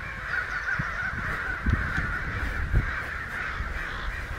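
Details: Excited flock of American crows, about a hundred, clamouring down a street in Santa Rosa in late May 2013; unbroken mass of overlapping caws over heavy low rumble and occasional thuds.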